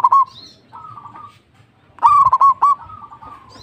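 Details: A local-strain zebra dove sings loudly and often: a short cooing phrase of four quick, bubbling notes at the start, then a louder phrase of four or five rolling coos near two seconds, with soft background hum.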